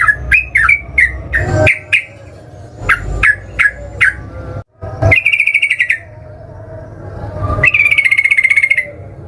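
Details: Yellow-vented bulbul singing as a lure: scattered sharp chirps give way to two long, buzzy, even trills, with low background rumble throughout.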